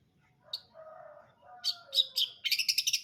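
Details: Long-tailed shrike singing brundol style: soft, low whistled slurs give way to loud harsh notes, ending in a rapid stuttering chatter of about eight quick scratchy pulses.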